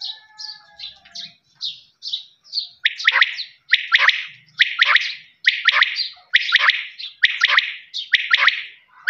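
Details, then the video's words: A quail gives light high chirps, then switches to loud, harsh, rhythmic phrases of two or three quick notes repeated roughly every second. "Voice of quail's"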